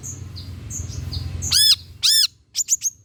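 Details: Long-tailed shrike singing, played as a lure to draw shrikes into song: faint high whistles over a low hum, then two loud, harsh, arched squawks and three quick, high, rasping notes.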